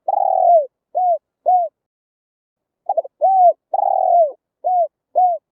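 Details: Spotted dove song played to lure wild birds to a trap: deep, hoarse cooing phrases, a long drawn note followed by two short falling coos, repeated after a pause, with no other sounds.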